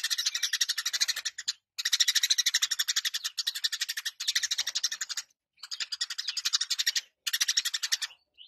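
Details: Eurasian tree sparrow in full 'gacor' and 'ngeplong' song. Long bursts of rapid, sharp repeated chirps run one to two seconds each, separated by brief silences, loud and clear without background sound.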